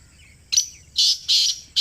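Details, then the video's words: A Pakistani black partridge calls up close: a sharp introductory note, then harsh, grating notes in quick succession. The phrase is cut off as the last note begins. "Kala Teetar Ki Awaaz | Khamosh Teetar Bhi Bol Utha! 🐦 | Black Partridge Voice"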